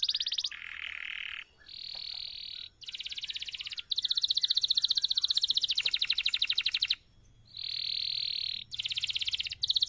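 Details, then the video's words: Domestic canary singing a long, continuous training song meant to prompt other canaries to sing: high trills and rapid buzzy rolls in changing blocks, separated by short pauses, with faint background noise. "MASTERAN suara BURUNG KENARI GACOR PANJANG || COCOK untuk PANCINGAN KENARI lain !!!"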